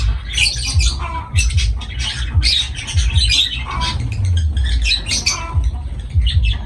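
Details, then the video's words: Captive lovebirds giving shrill squawks and chirps in quick irregular bursts, several birds overlapping, over a constant low background hum. "Beautiful Love birds Parrot 🥰 , Love birds voice sound"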